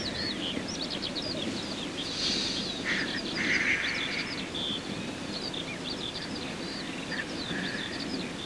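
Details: Courtship lek of black grouse: a steady low bubbling chorus, broken by hoarse hissing bursts around the middle. Dense high chirps and twittering from other songbirds fill the background.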